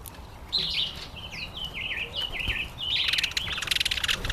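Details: Breeding-season male red-collared widowbird giving a run of thin, repeated chirps that dip and rise, building into a dense, rapid buzzy trill toward the end.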